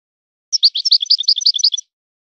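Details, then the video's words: European goldfinch, singing in a breeder's song style, gives a brisk one-second phrase of bright, high twittering notes that alternate up and down. The background is silent. "طائر من طيور لي تاتغرد على نمط طيور سي حسن الكلوب ولد الغابة"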